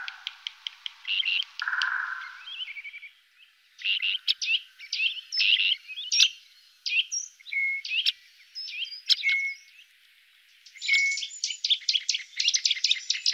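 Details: Great grey shrike in the Loonsche Land near Efteling, between the Loonse en Drunense Duinen and Huis ter Heide: varied high chirps, short buzzy bursts and sharp clicks, delivered in irregular clusters with brief pauses.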